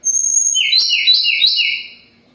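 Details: Sunda robin, locally tledekan gunung, singing strongly while moulting: a high pure whistle, then a run of clear notes that step up and down in a repeated pattern, ending quietly.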